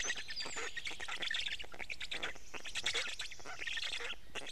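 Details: Black stork chicks at their nest in Estonia being fed fish by a parent, 6:41 am, 29 May 2018; fast, harsh, squawking begging pulses throughout, with a faint whistle from another bird at the start.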